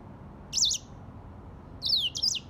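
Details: Grey singing finch, an African bird, giving two short high-pitched phrases of rapid up-and-down chirps separated by a pause of about a second, over a low background hiss.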